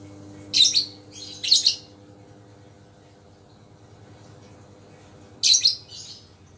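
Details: Lovebird kept as a pet, healthy again after a cold and tested for eagerness to call: two sharp, piercing doubled shrieks close together, a long quiet pause, then another double shriek near the end.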